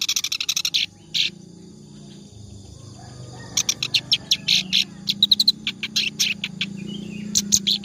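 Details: Clamorous reed warbler song recorded as a model for training birds: clipped chattering bursts, a lull with low background rumble, then renewed rapid harsh notes mixed with some sharper whistled squeaks.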